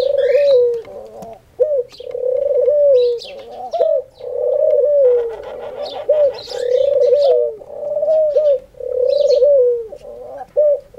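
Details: A singing dove gives long, soft rolling coos, each about a second long, repeated every two seconds or so, said to call daily at prayer time; faint chirps from small birds in the background.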